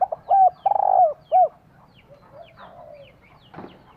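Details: Female spotted dove cooing to rouse a male into calling: a quick phrase of short hoots and a trilled, drawn-out coo in the first second and a half, then faint distant coos and a brief rustle.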